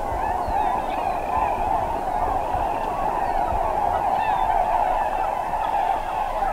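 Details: Large flock of tundra swans gathered on a central Wisconsin wetland during spring migration; a steady, dense wall of overlapping soft hooting and honking calls from many birds, with no breaks.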